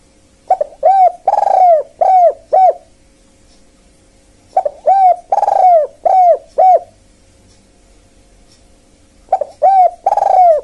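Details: Spotted dove calling to lure wild birds, the kuk-kuk phrase repeated three times about every four seconds: short clipped coos, a longer rolling coo, then more short coos, with a faint continuous hum.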